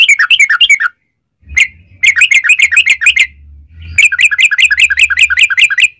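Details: Yellow-vented bulbul in a long rapid-fire 'ropel panjang' song, used as a lure to set other bulbuls singing; bursts of fast, bubbly chattering notes with a short pause, then another long run of quick chirps, low hum beneath.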